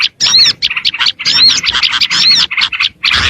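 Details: Oriental white-eye luring song: short bursts of bright chirping, each with a looping whistled note, separated by brief silences.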